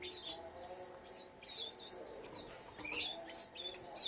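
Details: Canaries kept for breeding sing busily, a dense run of varied high slurred whistles and twittering phrases with barely a pause.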